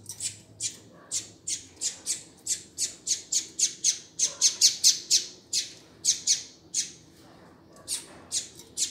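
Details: Double-collared seedeater calling, used to warm up and stimulate a male: a steady series of short, piercing high chips, roughly two to three per second, with a brief pause near the end.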